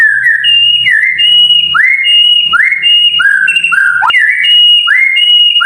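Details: Tutor song of a white-rumped shama meant to prompt mute birds to sing, loud and clean: upward-swooping whistles alternating with high steady notes, repeated roughly every second in a rolling sequence.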